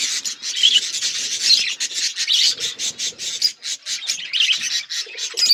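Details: Budgerigars chattering together, recorded February 18, 2024: a dense, continuous stream of high, raspy, buzzy warbles and chirps from several birds, pulsing in short bursts with brief gaps.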